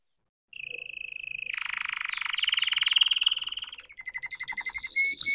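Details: Young red canary learning to sing: after a brief silence, a long, fast, buzzy trill that swells in loudness, then slower, clearer whistled notes repeated at the end.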